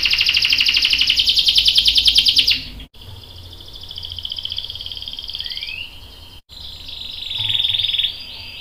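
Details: Canary, a female calling to prompt a male to sing, captive-bred song bird from Indonesia: loud, very fast rolling trill, then abrupt cuts, softer trills with a rising note, and a final bright rapid trill.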